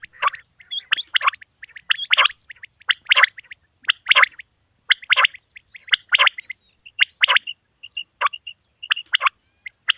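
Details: Male common quail calling: short, harsh, clipped notes in quick bursts, repeated roughly once a second for the whole stretch, with faint chirps between bursts and a quiet background.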